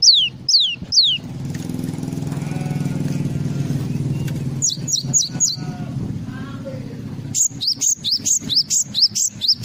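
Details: Java sparrow giving a full 'isian' song: sharp, high, downslurred chirps in quick bursts at the start and end, separated by a stretch of low rumbling traffic and engine noise, with faint voices.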